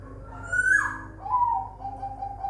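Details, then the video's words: Zebra dove (perkutut) bred in captivity at a bird farm in Semarang, Indonesia: a rising whistled opening note drops sharply, then soft mellow coos follow in a steady, slightly falling series. "Suara perkutut"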